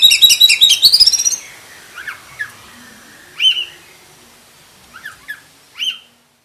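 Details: Black-breasted oriental magpie-robin with a full, varied song: a rapid high twittering trill for over a second, then scattered loud whistled notes and short slurred chirps separated by pauses.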